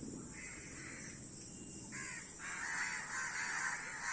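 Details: A gathering of crows making drawn-out, grating caws that blend into longer overlapping rasps, growing louder toward the end.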